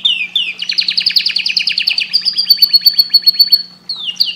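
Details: Canary song used to stimulate breeding: a long fast trill of repeated high rising notes, held for about three seconds, then tapering into clear sliding whistles, with a faint steady low hum.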